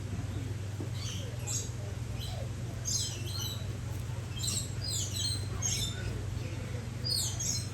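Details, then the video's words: Coconut (green-naped) lorikeets give shrill, screechy chattering in short bursts every second or so, over a steady low hum. "GREEN-NAPED LORIKEET PARROT"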